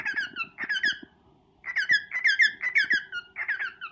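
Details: Pet male cockatiel serenading and courting a female indoors in a small room; harmonic whistled warbling notes near the middle of its range, delivered in quick bursts about twice a second, falling in pitch, with a pause midway and faint low hum.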